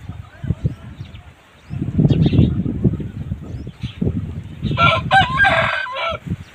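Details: An Aseel rooster's crow (azaan) rings out as a rough, harmonic, roughly one-second call amid low rumbling and muffled background noise.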